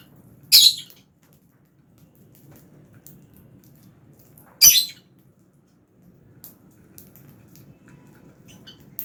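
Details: Lovebirds, Fischer's and albino, feeding together in an aviary; two sharp, loud high squawk-chirps about four seconds apart, with faint softer ticks and low hum between.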